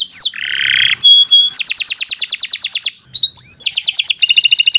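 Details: Canary singing a long training song for young birds: a rising whistle, a buzzy trill, a long run of quick repeated notes, a brief pause, then a rising slur and fast bright trills.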